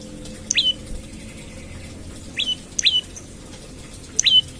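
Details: Olive-backed tailorbird calling in the morning as a lure for other birds. Brief, bright downslurred notes, singly and in a pair, are spaced irregularly against a quiet hum.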